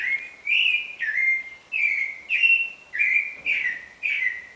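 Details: Clay-colored thrush (yiguirro) singing at dawn, 4:14 am, 9 April 2009: a steady series of rich whistled phrases around mid pitch, each under a second, repeated almost without pause, some slurred downward, over quiet background.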